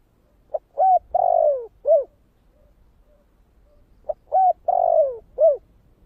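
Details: Spotted dove singing in the thổ kích bổi voice style: two four-note phrases about three and a half seconds apart, each a short soft note, a clear coo, a long drawn-out falling coo and a final arched coo, in quiet surroundings.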